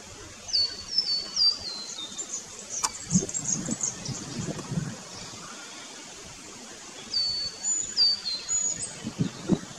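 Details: A scarlet honeyeater in an Australian backyard during its breeding season, when it sings a lot, gives two bursts of very high, tinkling notes cascading downward in quick steps, over a low rumble of distant traffic.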